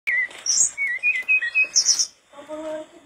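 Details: Mangrove blue flycatcher singing vigorously, used as a tutor recording for training kept flycatchers: clear whistled notes near the middle pitch, slurred and repeated in quick succession, broken by brief high thin squeaks, then a softer low humming tone at the end.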